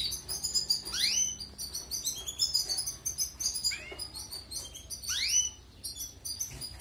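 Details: European goldfinch song played for training canaries: rapid twittering and tinkling notes high in pitch, with several sharp rising sweeps repeating about every two seconds, over a faint low hum.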